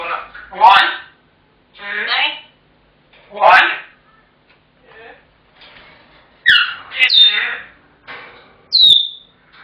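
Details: African grey parrot kept indoors, calling out when its owner comes home until given its tea: a series of harsh, speech-like squawks and rasping bursts, ending in a sharp, clear high whistle.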